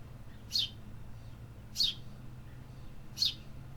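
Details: Three evenly spaced, high, downward-slurred chirps from a city bird, about 1.3 seconds apart, with soft low urban hum beneath.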